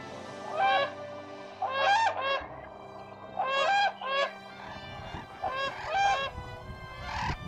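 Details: Brolgas in Australia give loud, rasping trumpeting calls in clustered bursts of a few notes, about every two seconds, over a faint low hum.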